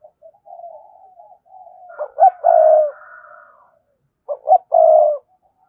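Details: Spotted dove cooing to challenge a rival: gentle purring notes build into a phrase of two short notes and a long coo, followed by a second similar phrase.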